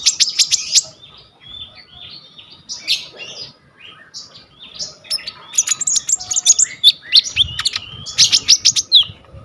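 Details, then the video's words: Purple-throated sunbird (kolibri ninja) giving a full, varied song for training birds: high chirps and buzzy notes, a quieter rambling middle section, then dense bursts of sharp ticking notes. "KONIN GEACOR FULL ISIAN 99% COCOK BUAT MASTERAN KOLIBRI NINJA TROTOL/IJOAN"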